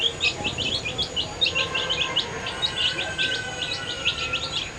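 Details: Many dyed, colourful baby chicks peeping while eating food: a dense, overlapping chorus of short, high, rising peeps, several each second, with a faint steady tone in the background.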